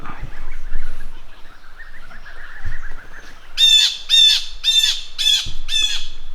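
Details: Blue Jay (Cyanocitta cristata) on a farm gives five loud, harsh, nasal jeer calls in quick succession, about two a second, after softer background chirping and outdoor noise; geese nearby seem terrified by it.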